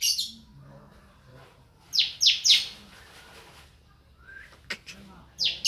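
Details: Grey-cheeked bulbul kept as a raw cage bird, not yet singing fully: loud, harsh, rasping notes in a quick cluster of three, then scattered sharp clicks and a last harsh burst over quiet background.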